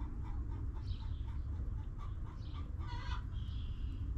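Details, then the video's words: Hens in a backyard coop. Faint, scattered clucks lead to one short, loud, harmonic squawk late in the clip, all over a heavy low rumble. "Rooster Crowing! Hens Clucking!"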